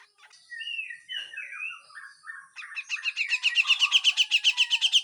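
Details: Grey-cheeked bulbul giving full harsh besetan song for songbird training: a string of slurred, falling whistles, then a fast, buzzy, rattling trill of about four notes per second that grows louder toward the end.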